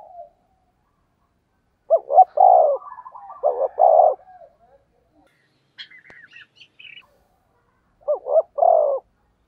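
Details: Spotted dove decoy cooing in the 'thúc gù giọng thổ đồng' style: low, hollow two-part coo phrases, a stuttered pair of notes then a longer rolling coo, given twice with a pause, with faint higher chirps from another bird between.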